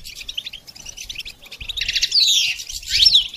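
Goldfinch song: rapid, twittering high notes with buzzy, tinkling phrases and quick downward slurs, growing louder toward the end.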